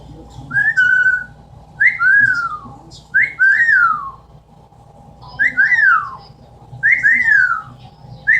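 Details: Amazon parrot kept indoors, mimicking sounds with repeated two-part whistles, a rising note then a longer falling slur, sounding roughly every one to two seconds in loose groups, over steady room hum.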